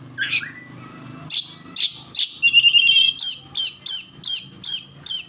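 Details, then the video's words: Oriental magpie-robin song: a rising whistled opening, then short loud notes repeated roughly every half second, with a brief trilled stretch in the middle and a low hum behind. "Suara burung Kacer pendongkrak emosi"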